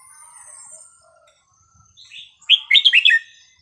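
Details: Melodious red-whiskered bulbul song used for teaching chicks: after soft faint notes, one loud, quick phrase of five or six bright, bouncing whistled notes ends the recording in quiet.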